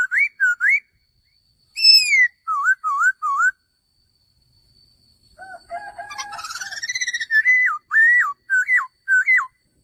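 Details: A male laughingthrush sings looping whistled notes that rise and fall in short bursts. After a pause comes a rapid buzzy run, then a series of hooked whistles repeated about every half second.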